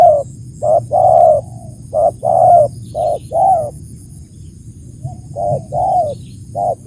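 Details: Spotted dove cooing: a quick run of short notes and longer husky coos, closely spaced, then a brief pause and a few more. A faint high-pitched hum is continuous.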